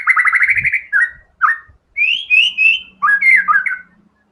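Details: ['White-rumped shama singing hard and showing all its learned filler material. A fast varied run moves from a rapid trill into slurred whistles, then higher clear notes and choppy warbled phrases. A few low thumps sit underneath.']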